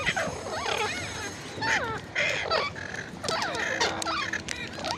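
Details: Ringneck parrot calls: overlapping warbling, squawky notes that bend up and down in pitch. They come in bursts with short pauses and sound like several voices. A steady low hum runs underneath.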